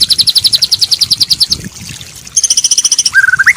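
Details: White-rumped shama song used as training for a stressed bird that has stopped singing: a fast high rattling trill, a short pause, another bright even trill, then a run of rising whistled notes.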